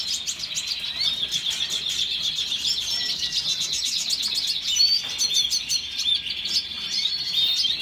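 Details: Red siskin singing a continuous, fast twittering song of high chirps and buzzy trills, with short whistled notes layered over a steady chatter and no pauses.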